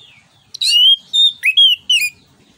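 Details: Song of an orange-headed thrush, a Southeast Asian forest thrush, in loud 'ngeplong nembak' style for tutoring other birds: clear sustained whistles with abrupt rising and falling turns, separated by short pauses.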